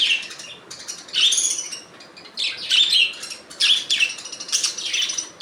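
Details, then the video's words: Budgerigars giving natural calls: bursts of scratchy, chirping warble around two to eight kilohertz-high pitch, coming in uneven clusters roughly every second, with overlapping harsh notes and quiet gaps between. "Budgies Natural Sound"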